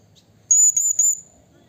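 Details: Blue-crowned hanging parrot in the wild, calling a rival with one short, shrill high whistle broken into three linked pulses.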